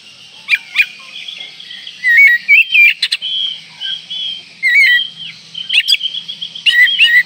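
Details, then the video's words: Oriental magpie-robin in breeding condition, singing to provoke rivals: varied whistled phrases around mid-high pitch, rising slurs and sharp clicks in irregular bursts, over a steady background hiss and faint low hum. "Kacer Gacor Full Isian Mewah Merangsang Birahi Agar Tetap Gacor Ngobra Dan Lawan Jadi Emosi"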